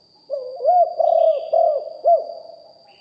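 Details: Spotted dove lure bird with a big, deep voice, recorded live: one phrase of about five hollow, rounded coos, the middle notes drawn out, the last one short and rising then falling, a constant faint high whine behind.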